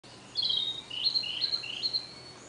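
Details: Narcissus flycatcher giving a long song: a high whistled opening followed by repeated paired notes, alternating higher and lower phrases about every half second, clear over a quiet background.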